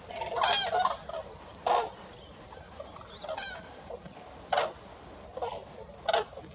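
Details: Before dawn on an autumn-winter roost site in France, wintering common cranes trumpet loud, rolling, nasal bugles a few seconds apart, re-establishing contact with family and neighbours, with fainter calls from other cranes in between.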